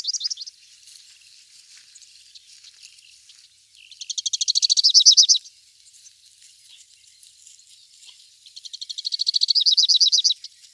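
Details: Two bouts of Rufous-capped warbler song, each a swelling, rapid string of high, slurred chips lasting about one and a half seconds, separated by several seconds of faint twittering from other birds.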